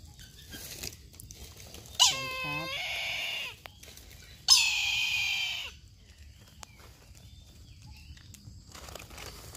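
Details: Two long, wheezy squeals from a Brahminy kite, about two and a half seconds apart. The first begins with a quavering, stepped onset before a steady, strained note. Each call lasts roughly one and a half seconds, over a quiet background.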